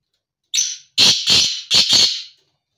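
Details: Black francolin calling: a short harsh opening note, then a pause and four loud rasping, grating bursts in two quick pairs over about a second and a half, in a quiet setting.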